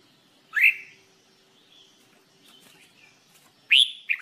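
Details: Red-whiskered bulbul singing as training material: two loud, short, rising whistled notes about three seconds apart, with faint quieter notes in between and near silence otherwise.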